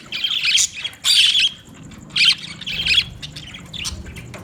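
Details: Budgerigar giving loud scratchy squawks in about four irregular bursts, then quieter scattered chirps toward the end.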